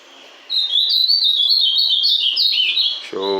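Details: A captive ultramarine grosbeak, just coming out of a moult, sings a rich, fast song of high, sliding whistled notes that rise and fall for nearly three seconds. A man's voice cuts in at the end.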